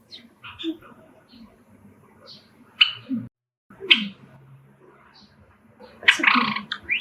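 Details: A male Java sparrow sings excitedly indoors after hearing sparrows outside through an open window, giving soft clicking notes and bright bell-like chirps with a rich warbling run near the end, while the owner talks quietly.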